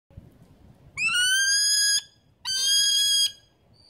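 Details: A New Zealand falcon at Wingspan near Rotorua, New Zealand, October 2016, gives two long, harsh, high screaming notes, each about a second, the first slightly rising, with only faint background hiss.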